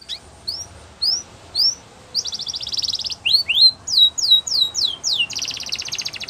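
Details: Canary song for training: spaced rising chirps, then a buzzy trill, a series of falling swoops and a closing rapid rattle, high and sharp.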